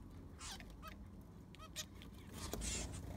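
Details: Zebra finches kept in an aviary during a cleaning: a few separate nasal, toy-trumpet beeps stand out over hissing and scraping from the sand being changed.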